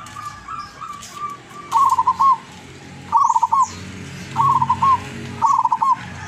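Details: Wild-caught zebra dove from Tuban, East Java, praised for a long melodious voice, opening with soft low coos, then four rapid rippling coo phrases about a second apart, faint chirps behind.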